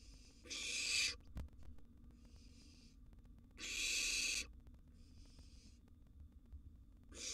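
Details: Wild barn owl nestling in a nest box during a meal of a sizeable gerbil: three strong snoring hisses, a second each, with softer hisses between them and a sharp click.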